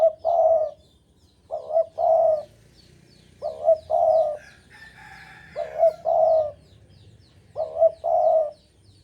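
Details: Spotted dove from Java, strongly in breeding condition and singing often, repeats a low two-part coo five times, about every two seconds. Each is a wavering note then a longer level one, with faint high chirps of other birds behind.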